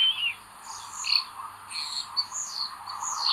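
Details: Common buzzard chicks in a nest on 25 May 2022, the eldest chick acting aggressively. High, thin calls that slide downward come in quick irregular bursts, about one a second, over a steady low hum.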